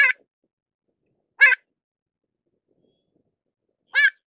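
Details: Pied avocet (Recurvirostra avosetta) giving three short, clear, slightly nasal calls spaced one to two and a half seconds apart, with silence in between.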